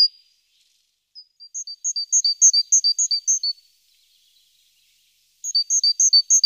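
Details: A great tit at its nest box, filmed by webcam on a morning around 14 April, gives bright two-note phrases, high then lower, repeated quickly in two bursts separated by a short silence.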